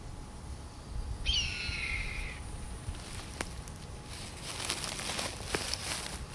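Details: Red-tailed hawk family of four circling and calling over an owl nest site. A single harsh, slurred scream that drops in pitch over about a second, followed by rustling and scattered clicks.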